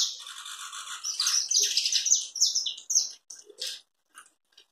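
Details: Chapinha carretilha song of a saffron finch: dense, high, buzzy chattering notes run together into a rapid rolling series, then break into a few separate chips that fade out.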